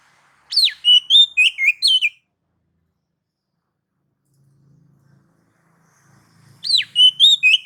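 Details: Song of a white-rumped shama intended to provoke others: a downward-swooping whistle followed by rapid repeated whistled notes, a pause with faint low background noise, then the phrase starting again.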